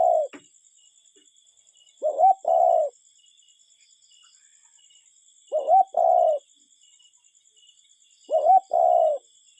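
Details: Cuckoo calling in nature, a clear low two-note coo with the first note rising slightly, repeated roughly every three seconds over four phrases, with a faint steady high-pitched hum in the background.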